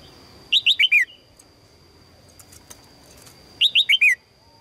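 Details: Female red-whiskered bulbul calling to attract a strong male: two bright bursts of four quick, chirping notes that slide downward, about three seconds apart, over a steady high-pitched whine.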